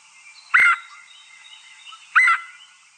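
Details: Red-headed Woodpecker calling repeatedly: two harsh, slightly nasal calls about one and a half seconds apart, each short and rasping, with a sharp click before the first.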